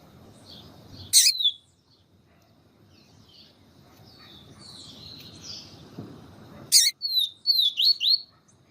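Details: Yellow-bellied seedeater singing in the siu siu style, with a female calling to excite the male; a quiet stretch, then a quick run of high, slurred whistled notes near the end, with two sharp loud clicks.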